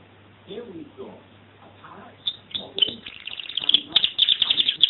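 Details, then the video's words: Canary singing: soft low murmurs at first, then high sharp notes building into a loud, rapid, even trill that speeds toward the end. "Singing Canary"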